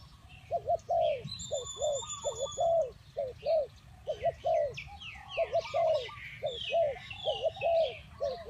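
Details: Spotted dove cooing in a long, steady string of short, arched, hollow notes, roughly two per second, while a high whistle and scattered bird chirps sound in the background.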